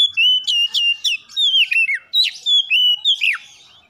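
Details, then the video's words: Domestic Oriental magpie-robin pouring out a quick, continuous series of bright whistled notes and downward slurs, about a dozen phrases in under four seconds, fading at the end. "PANCINGAN CEPAT PAGI SIANG MALAM KACER RUMAHAN CEPAT GACOR"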